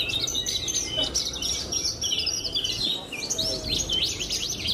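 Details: Caged pied (blorok) Javan bush lark, a competition bird that recently won best of the best at a contest, sings high, rapid twittering phrases of short sweeping notes with steady background murmur.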